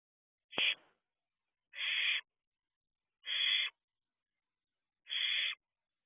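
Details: Nest-box barn owl owlet at night in June 2023; a sharp knock opens, followed by three breathy, harsh hisses about one and a half seconds apart, each lasting half a second.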